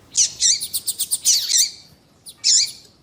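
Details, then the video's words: Double-collared seedeater (Sporophila caerulescens), 'coleiro tui tui' song mixed with female calls to stimulate a male; rich buzzy warbled phrase with quick repeated notes, a pause, then one loud buzzy note. "Esquentar coleiro com Piado de fêmea de coleiro e coleiro tui tui cantando"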